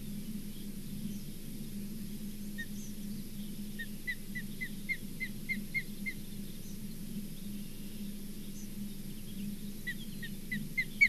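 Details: An osprey at the Charlo osprey nest on 4 June 2023 gives a quick run of high, whistled chirps, each note sliding upward.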